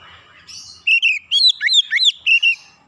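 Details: Oriental magpie-robin calling, recorded as therapy chirping: after a soft lead-in, a quick run of about eight loud whistled notes, warbling and swooping up and down, ending in a wavering trill-like whistle.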